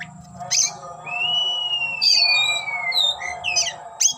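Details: Oriental magpie-robin singing as it displays with its tail spread: one long, gently falling whistle flanked by short sharp notes, over a constant low droning hum.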